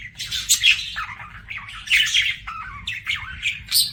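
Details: Budgerigar singing a varied scratchy warble with squeaky rising and falling notes and short chirps, continuous across four seconds.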